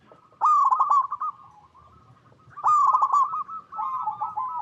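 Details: Local perkutut (zebra dove) singing freely in its natural habitat, offered as a lure to prompt other zebra doves to reply; two loud, stammering coo bursts with a trailing softer coo and a gentler third phrase.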